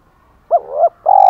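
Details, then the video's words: Decoy spotted dove with a 'thổ pha' voice: a brief, soft, two-part wavering coo followed by the start of a longer steady purring note. "Chim Cu Mồi Giọng thổ pha, thúc đấu rất đỉnh và gáy gọi chất hai"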